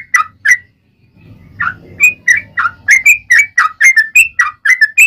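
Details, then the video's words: Yellow-vented bulbul singing a long, fast-paced ropel panjang song, used as a lure to make other bulbuls sing and answer aggressively. Bubbly, slurred whistled notes rise and fall in quick succession, with a low rumble near the start. "SUARA trucukan gacor ROPEL PANJANG buat Pancingan trucukan agar bunyi"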